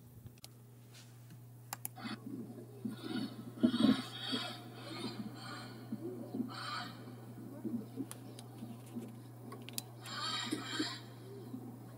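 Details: A steady low electrical hum runs under muffled voices and bursts of rustling or handling noise, with no clear animal call.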